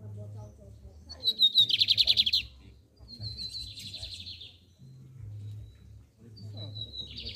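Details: Lined seedeater (bigodinho) singing in the torneado song style: three bursts of high, buzzy, rapidly pulsed trills, each about a second long and opening with a thin whistled note, over a low steady hum.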